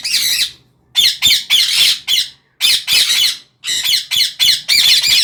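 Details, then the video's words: A parrot gives loud harsh squawks in quick bursts of two or three, each call raspy and broad, with short silences between groups. "parrot Bird sound"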